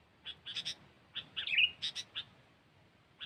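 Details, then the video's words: Soft clipped chirps from a Sooty-headed bulbul used for luring birds, in quick clusters around a single short warbled phrase, over steady background hiss. "Suara Burung Kutilang"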